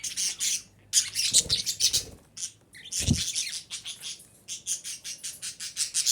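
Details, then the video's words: Female budgerigar, used to stimulate breeding, giving a busy run of high, buzzy chirps and twittering notes in rapid clusters, with a short pause and a low thump near the midpoint. "DİŞİ Muhabbet Kuşu Sesi - Muhabbet Kuşu Kızıştırma"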